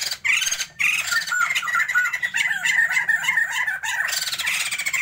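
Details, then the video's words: Energetic chorus from a caged pair of Sumatran white-crested laughingthrushes meant for breeding: a sustained stream of gravelly squawks and chattering cackles, nearly without pause, over a faint low drone. "Pasangan POKSAY JAMBUL SUMATERA GACORRR"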